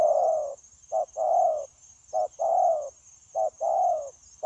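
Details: Wild-caught spotted dove kept for trapping, cooing continuously in 'gù' style: a quick short coo then a long mellow wavering note, repeated about every 1.2 seconds, with a steady thin high tone in the background.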